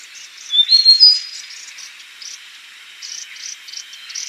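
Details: Yellow-bellied warbler with a brief burst of loud, thin whistled notes climbing in pitch early on, followed by softer repeated high buzzy chirps at an irregular pace.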